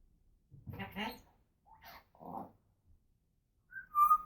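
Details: Pet female African grey parrot indoors, talking and making noises: a few short speech-like mumbled syllables, then a clear rising whistled note with a brief sharp squeak at the end.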